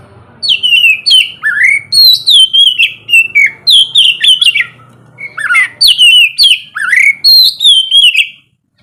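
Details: Oriental magpie-robin singing ngeplong-style in the morning, played to get lazy birds singing. Continuous loud whistled phrases mix high downslurs, quick trills and low rising swoops, arranged in two long runs with a brief pause between.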